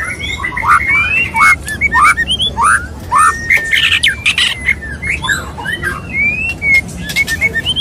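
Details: White-rumped shama male wooing a female while mating, giving clear pure whistles that slide upward, mixed with short chirps and loud rasping broadband notes repeated every half second or so.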